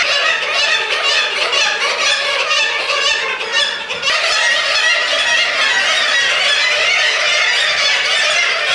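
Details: A dense, unbroken chorus of Black-legged Kittiwakes with young at a former radar tower on Middleton Island, Gulf of Alaska, May–August, many harsh nasal calls overlapping into a steady clamour with no quiet gaps.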